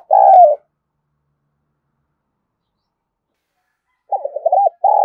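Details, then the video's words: Spotted dove cooing to stimulate newly caught birds to call: a short low hollow coo, about three and a half seconds of silence, then a quick stuttering series of coo notes and another steady coo. "cu gáy thúc gù , Gáy Gọi cực sung mãn giúp những chú bổi nhanh nổi"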